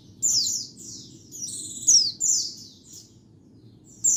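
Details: White-eye song used as a lure for catching birds, cleaned of surrounding noise: high, thin twittering phrases with quick downslurred sweeps, given in short bursts separated by brief pauses.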